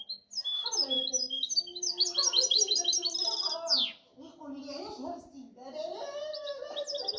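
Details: Goldfinch hybrid twittering energetically: quick high chirp runs, a loud falling buzzy sweep near the middle, then softer warbling phrases over lower background sounds.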